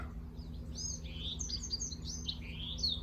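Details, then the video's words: A Bewick's wren singing in July by a freshwater creek entering the ocean on the south coast of Vancouver Island: a quick run of crisp, high, buzzy and trilled notes rising and falling over a low steady hum. "So singing behind me here is a Bewick's wren."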